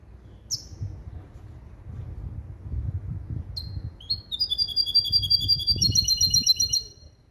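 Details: Hybrid of a male European goldfinch and a female canary, kept and trained for clean 'limpio' goldfinch-style song built from basic goldfinch calls: a few sharp high notes, then a fast, steady, metallic trill that repeats rapidly near the end.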